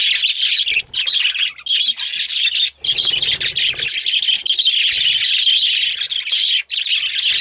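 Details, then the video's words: Excited budgerigars in a group, calling constantly: overlapping high chirps, warbles and sharp squawks form an unbroken chorus, interrupted only by a few split-second gaps. "Excited Budgies/Parakeets"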